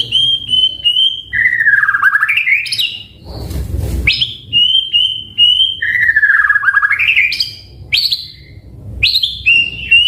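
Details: Continuous varied song of a white-rumped shama, played as a lure to prompt other birds to answer: loud clear whistles, descending then rising slurred phrases and bright repeated high notes, broken once by a brief burst of broadband noise.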